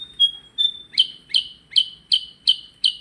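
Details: Singing percang bird: two thin, level whistled notes open the phrase, followed by six evenly spaced, sharp chirps that each drop in pitch, roughly three per second.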